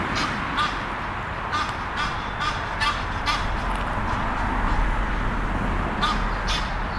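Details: A pair of Egyptian geese courting in a tree near Henley upon Thames. A run of rasping honks comes early, then a gap and two more later, all over a heavy low rumble of background noise.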